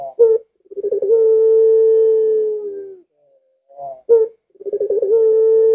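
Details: Collared dove calling in the lengkungan style, a short rising note followed by a rolling, bubbling trill that settles into a long, steady, low coo held about two seconds, then the pattern starts again.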